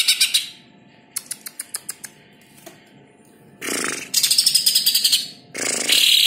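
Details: Greater green leafbird (cucak ijo) song offered as a masteran training recording: sharp high chirps, then a run of quick clicks, then loud dense buzzy high-pitched bursts with a rapid rattling trill near the end.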